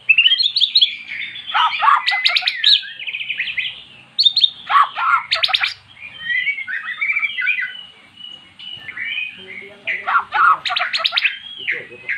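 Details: A previously silent magpie-robin answers recorded song of its kind with continuous rich song: whistled trills mixed with sharp, ringing, clicky bursts, phrase after phrase with brief pauses.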